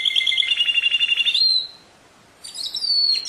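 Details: Canary pouring out a fast rolling trill that climbs into a held whistle, a short pause, then more bright high whistled notes.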